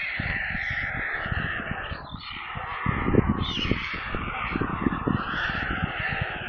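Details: Hungry stork nestlings near Kaluga in central Russia shriek on a live nest camera, giving a harsh, continuous, raspy screaming chorus over frequent low thumping and rumbling noise.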